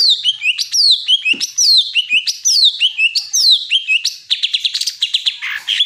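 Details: Greater green leafbird, locally cucak ijo, repeats downward-sliding whistles with clipped chirps, then speeds into a rapid series of short high notes.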